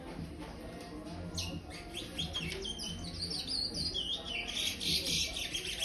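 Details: Five-month-old young chestnut-bellied seed finch, brown-plumaged, kept in an aviary, singing in the praia style: a quiet start, then a run of quick high chirps and sweeping whistled notes that grows louder toward the end.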